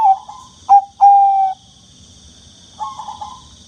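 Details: Bangkok-type zebra dove, the perkutut bangkok, cooing to stimulate doves that rarely sing. Mellow coos, one drawn out, then a soft later phrase. A steady high-pitched whine runs underneath.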